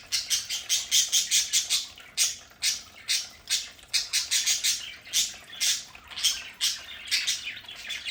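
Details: Budgerigars kept as pets at home squawk loudly and steadily, short harsh notes repeated about twice a second in a busy, continuous stream.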